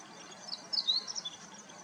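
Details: Clear-voiced meadow bunting recorded on a handheld Nikon P1000: a short burst of high, thin, sharply pitched notes with one bright upward slur, quiet against constant low hiss.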